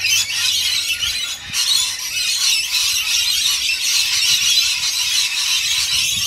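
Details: Rainbow lorikeets being fed screech loudly and continuously, a thick layer of harsh high-pitched squealing with a short dip near the start and no quiet gaps.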